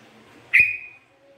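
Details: One sharp, piercing whistle from a lively sooty-headed bulbul kept for luring and training, attacking suddenly and trailing off gently, with a faint higher tone afterwards.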